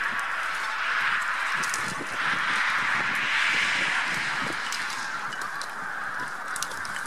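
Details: Spring migration of a huge Bean Goose flock, some White-fronted Geese among them, near Trzemeszno, Poland, 3–4 March 2018; loud continuous cackling and honking chorus, calls tumbling over one another with brief louder surges.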